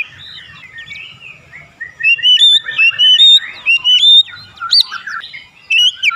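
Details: Oriental magpie-robin song, offered as therapy to get the bird to open its beak quickly: a lively run of clear, sharp whistled notes and short twittering bursts. The notes rise and fall, with a faint low murmur underneath at the start.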